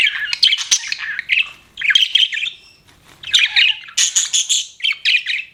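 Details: Budgie warbling in five or six short bursts of squeaky, buzzy chirps and whistles, separated by quiet gaps.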